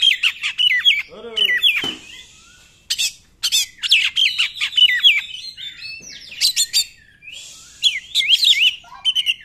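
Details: Oriental magpie-robin in 'nembak' song, meant to stir quiet magpie-robins to sing: rapid zigzag whistled phrases, a lower rasping downslurred series, then bursts of sharp clicks and more looping whistles after a short pause.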